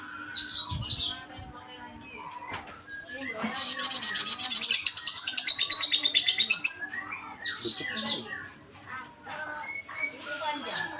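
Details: Salome bird singing vigorously: bright high chirps and twitters, then a loud, fast, even trill lasting about two seconds, followed by more varied high phrases, with faint voices in the background.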